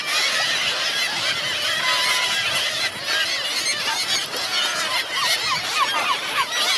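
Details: Seagulls at Helløya in 2017, hungry and calling together; one drawn-out level whine, then a run of quick arched yelping notes near the end, all over a continuous crowded chorus.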